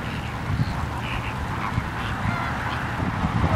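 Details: Flamingos at Larnaca Salt Lake, Cyprus, on Christmas Eve give a steady chorus of nasal, goose-like honks and gabbling from many birds at once, over a heavy low rumble of wind.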